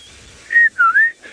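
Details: A Rufous-naped Lark at dawn in the Mara, 7 February 2018, one of the most common early-morning calls there, gives a clear whistled note followed by a slurred whistle that dips, then rises.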